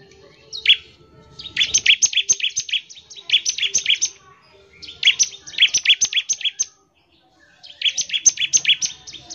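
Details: Bar-winged prinia singing fast ngebren phrases to get other prinias calling: four long bursts of rapid, buzzy-edged high chirps, each phrase about a second or more, separated by short pauses.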